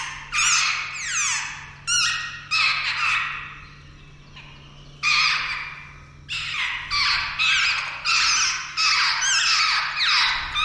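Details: Jungle babbler fledglings due to leave the nest that day, calling in grating, downward-sweeping squawks, in clusters separated by short quieter gaps, then a fast run of repeated calls; steady low hum in background.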